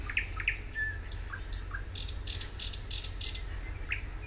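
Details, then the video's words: Thrush nightingale singing at Suomenoja in 2022: scattered short whistled and clicking notes, some high and sharp, others dropping, with a steady low rumble of background noise throughout. "Thrush Nightingale"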